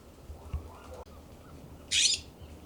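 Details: Young California scrub jays in a yard at Pacific Grove, California, giving a short, loud, grating squawk near the end, preceded by faint rustling and a soft click.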